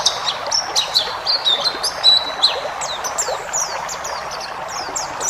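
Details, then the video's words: Ngalas-type white-eye song meant as training audio for caged birds: quick high twittering with short level whistles and downward flicks, fading slightly toward the end, over steady hiss. "masteran burung pleci ngalas full isian"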